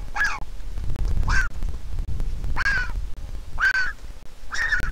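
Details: Begging Griffon vulture chick on an Israeli nest, hatched 22.4.21 to a handicapped parent pair, calling as its mother comes to feed it: rasping, nasal cries repeated roughly every second, with low rumble underneath.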